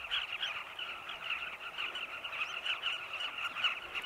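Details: Sunset flight of Carmine bee-eater flocks beside tunnel nests in a Zambian cliff, foraging for chicks; a thick, continuous chorus of overlapping rolling calls with no other clear sounds.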